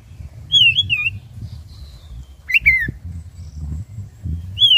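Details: Black-breasted oriental magpie-robin, caged, singing to stir other birds to sing; clear looping whistles broken by a sharp click burst and sliding slurred notes, spaced about two seconds apart, over a low rumbling background.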